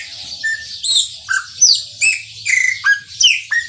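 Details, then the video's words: A chopi blackbird delivers a maranhãozinho song: a rapid series of ringing whistles, falling slurs and steady level tones, close and loud, with a soft low hum underneath. "PÁSSARO PRETO MARANHÃOZINHO CANTA MUITO"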